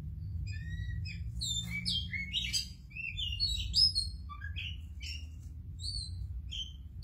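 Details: Caged oriental magpie-robin bursting into song as soon as its cage cover is opened: varied whistled and scratchy phrases jumping between low and high notes, over a steady low rumbling hum.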